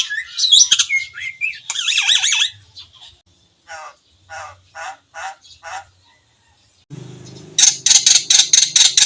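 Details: Javan myna with white eyes in lively, richly varied song: twisting squeaky whistles, then a run of rapid harsh chattering notes, ending in quick loud clicks over a low mechanical hum.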